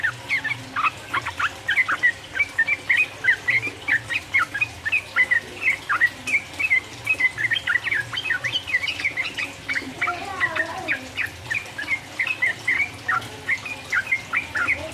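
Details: Yellow-vented bulbul song used as a lure to provoke rival birds into singing, in a rapid 'ropel' style: dense, continuous chattering of short bubbly notes, repeated fast over a soft constant background hum.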